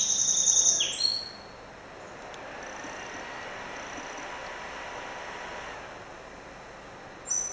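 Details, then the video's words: A song sparrow (Melospiza melodia) visiting and singing at a window opens with bright, high whistled notes that drop into a buzzy slur, then faint high tones and one more sharp note at the end. "bruant chanteur - Melospiza melodia - Singing Sparrow"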